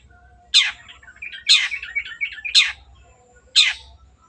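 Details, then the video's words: Long-tailed shrike (cendet) in full voice, used as a lure to get silent birds singing: harsh, rasping broadband notes about once a second, with softer chattering twitters between them. "CENDET GACOR PANCINGAN MENGATASI BURUNG MACET ATAU BAHAN AGAR RAJIN BUNYI"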